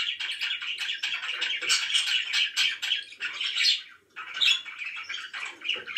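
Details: Happy budgies kept indoors keep up busy, continuous warbling chatter mixed with squawks, pausing briefly near the fourth second before resuming.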